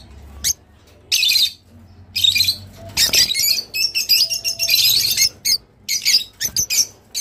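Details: Long, dense bursts of harsh, buzzy twittering from a Rosy-faced lovebird, played to encourage breeding, running almost continuously in the second half with brief gaps.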